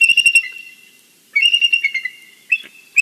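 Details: Bald eagle, a female at a nest in Big Bear valley, in the morning: thin, high, stuttering whistled notes in quick runs that fall slightly in pitch, then two single piping notes; faint low thumps behind.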